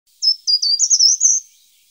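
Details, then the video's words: A short-toed treecreeper (Certhia brachydactyla) gives a brief, very high phrase of six or seven thin, quick notes, lifting slightly in pitch before ending, in quiet surroundings. "Canto del Agateador común (Certhia brachydactyla)"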